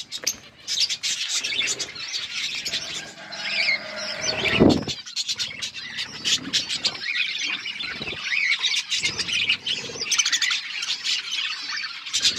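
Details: Budgerigar flock eating food. A continuous mass of high twittering and chirps from many birds, with a louder, lower squeaky sound near the middle and scattered dull knocks.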